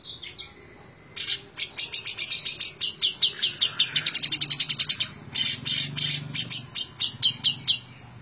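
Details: Cendet, the long-tailed shrike, singing tembak ngebren: after a short whistle and a pause comes a rapid string of harsh, chattering high notes. It breaks briefly near the middle, then resumes just as fast and dense.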